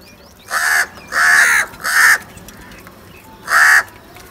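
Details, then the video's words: Crow giving three harsh caws in a quick run, then a silent gap before one more loud caw. "Crow sounds | کوے کی آواز"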